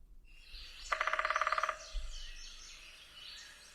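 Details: A Red-bellied Woodpecker drums a quick, even roll of about fifteen resonant taps lasting under a second, with faint bird chirps behind; males drum especially in mating season to attract a mate and establish territory.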